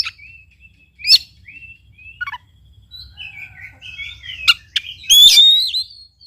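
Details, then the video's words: Oriental magpie-robin song used as a lure to provoke a quiet bird into singing: varied whistled notes and sharp rising chirps, short buzzy phrases and bright slurred whistles in quick, irregular succession. "KACER GACOR||PACINGAN &MASTERAN KACER MALES BUNYI"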